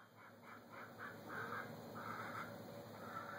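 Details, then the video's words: Domestic chickens kept by their owner, giving a rapid series of short nasal clucks and squawks, about four per second, mid-pitched and slightly harsh, over a steady background hum. "just to listen to my chickens"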